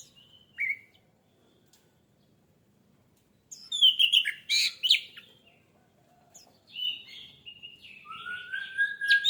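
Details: Lure song of an orange-headed thrush meant to spur singing: a short isolated note, a pause, then a loud cluster of sharp, rich notes, and finally rambling whistles ending in a long, low, rising whistle.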